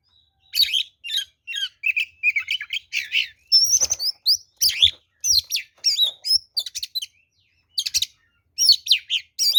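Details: Oriental magpie-robin (kacer) fighting song for luring other birds: a long continuous stream of varied whistles, chirps and harsh rasping notes, delivered in quick phrases with short pauses.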